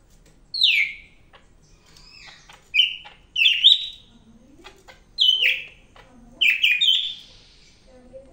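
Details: Energetic song of a greater green leafbird, known locally as cak ijo medan: bright downslurred whistles and tumbling twittered phrases repeated in bursts every one to two seconds, with a faint low murmur in the background.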